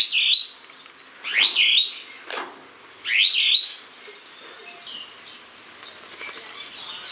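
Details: Spreo starlings filmed in August; loud, bright squealing calls that rise in pitch come in bursts about every one and a half seconds, followed by softer scattered chirps and clicks.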